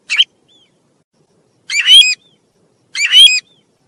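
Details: Tu huýt bird giving a short note, then two longer, loud, ringing harmonic phrases about one and a half seconds apart. Faint whistled tails follow the phrases, and the background is otherwise silent.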